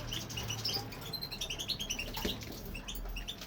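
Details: Aviary-kept male European goldfinch in full song: quick, liquid twittering notes strung tightly together, slightly rising and falling, with a steady low hum underneath.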